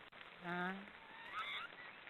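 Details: Black storks snoring with one drawn-out nasal, harmonic rasp, then a thinner rising squeal.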